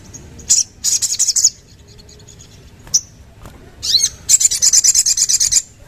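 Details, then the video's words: Short bursts of rapid high chattering from a sooty-headed bulbul, a single sharp note, then a longer even rattling trill of about a dozen notes. "Sogon Langsung Bunyi Dengar Ini!!!"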